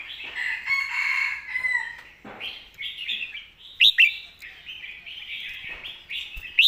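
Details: Red-whiskered bulbul in a master song style: a buzzy, grating opening gives way to a flowing warble, two loud clipped notes near four seconds, and more bubbling phrases ending on a sharp note.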